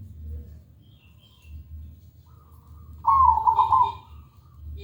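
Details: Zebra dove lure song for training a dove to sing: quiet background hum, then one loud rolling, bubbling trilled coo lasting about a second.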